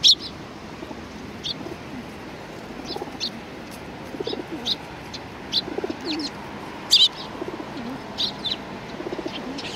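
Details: Sparrows coming to be fed at a Tenmangu shrine on 25 April 2019, giving brief, high, scattered chirps at irregular intervals. Soft low cooing of pigeons and faint background murmur are also heard.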